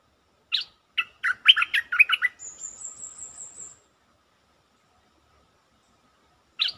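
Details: Stripe-throated bulbul singing as a lure: a lively phrase of rapid, bubbling, slurred notes rising and falling, then a sustained high thin whine, silence, and one more bright note at the end.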